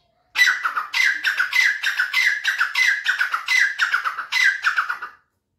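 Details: Grey francolin giving a rapid series of loud, grating multi-note phrases about every half second, roughly nine in a row, starting abruptly after a brief pause and cutting off near the end; no other sounds present.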